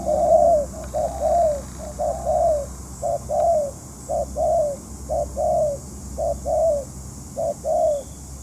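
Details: Spotted dove calling as a trapping decoy. Paired short coos followed by longer throaty croons roll on steadily for several seconds, with a faint hum beneath.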